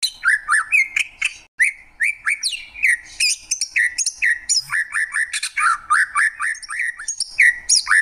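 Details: Greater green leafbird pouring out a busy song of short whistled notes and harsh, buzzy chips, about four per second and uneven in rhythm, with strong high overtones.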